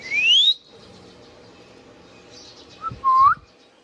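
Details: Indian ringneck parakeet kept as a pet, calling with a loud, pure whistle sweeping upward, a pause, then a brief low note followed by a short rising whistle.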